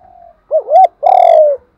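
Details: Spotted dove, a decoy bird trained to call readily, giving a challenge call: a faint level note, a double-humped rising coo, then a long rough falling coo, loud and close.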